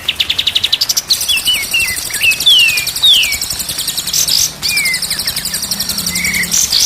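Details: Song of a white-rumped shama used as training material for birdkeepers: a quick staccato trill, then varied slurred whistles rising and falling, more rapid pulsed chatter and a few flat whistles, with a faint low hum late on.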